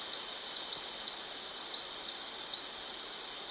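Blue-backed conebill song: a rapid, high-pitched jumble of thin chips and short sharp twitters, delivered continuously.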